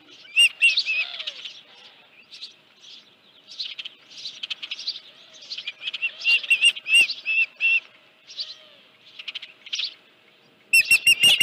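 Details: Osprey at a Dunrovin Ranch nest, 31 July 2018, 9:43 AM, with a headless fish: scattered high, sharp chirps in uneven bursts and short runs, with quiet gaps between and a loud burst of clipped chirps at the end.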